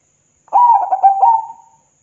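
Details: Perkutut, the zebra dove, singing to draw answers from rival doves: a single rolling cooing phrase of several quick pulsed notes running into a longer sustained trill, no other sounds.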